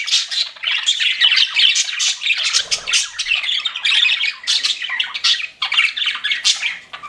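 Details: Pet budgerigars chirping together indoors: dense, continuous chatter of scratchy squawks, warbles and short whistled notes, overlapping without pause, with a brief soft low thump midway.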